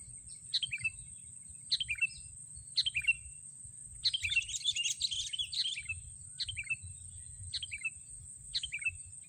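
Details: Sooty-headed bulbul used as a lure: short descending bubbly phrases repeated about every second, with one longer jumbled chattering burst, over a steady high electronic whine and low rumble.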